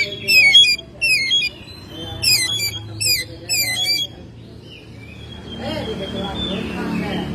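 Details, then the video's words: Oriental magpie-robin kept at home, singing in May: five or six loud scratchy bursts of falling notes in quick succession, then quieter whistled notes fading into low background rumble. "Burung Kacer gacor rumahan"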